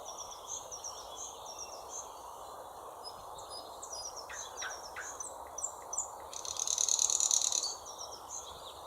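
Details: Singing thrush nightingale delivering a loud, harsh rattling phrase near the end after some clicking and whistled notes, set against a constant background of high twittering from other birds.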